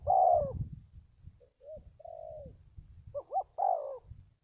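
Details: Spotted dove cooing on a trapping lure recording used to train decoy birds. Low, soft coos come irregularly: a long steady note, short hoots, then a wavering double note and a falling coo. A low rumbling noise runs throughout.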